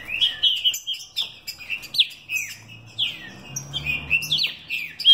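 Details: Captive-bred mutation green-winged saltator singing with vigour and speed: loud clear whistled phrases, slurred notes sliding up and down in quick bursts with brief pauses between, in a quiet indoor setting.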